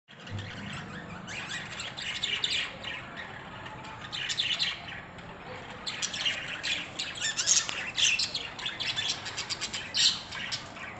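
Budgerigars chatter with a steady stream of high, scratchy chirps and squawks overlapping one another.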